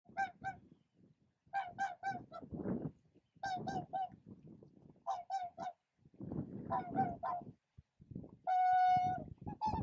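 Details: Whooper swans at Spiggie, Shetland, U.K., in July 2013: bursts of two to four loud, nasal honking calls with rich harmonics, separated by short pauses, ending in a longer, purer trumpeting note, with low rumbling background sounds.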